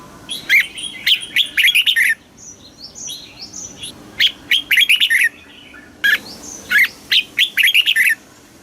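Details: Caged-bird stimulation song of a Thai red-whiskered bulbul in the southern master style. Three quick, warbled phrases of sharp, bright notes, with softer high chirps filling the gaps between them.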